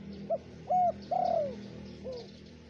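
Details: Spotted dove in Indonesia, lure recording for wild doves: brief coo, level coo, then a long falling coo and a quiet downslurred end note, above a humming, hissy background.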